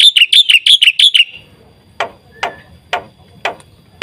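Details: Black-winged myna song, played as a lure and master for training captive birds: a rapid run of six bright, bouncing whistled notes, then quiet with five sharp clicks about half a second apart over a low hum.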